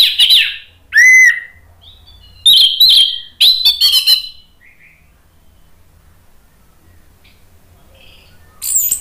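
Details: An orange-headed thrush, in a lure recording meant to provoke silent birds into singing, sings loud, varied, rich bursts of whistles and harsh chattering phrases, with short pauses and a quiet stretch between, then one more phrase at the end.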